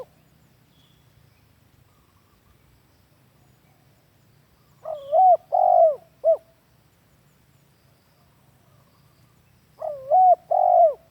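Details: Spotted dove lure call for tutoring captive birds: phrases of a quick rising coo, a long strong hoot and a short closing note, repeated about five seconds apart after a silent start.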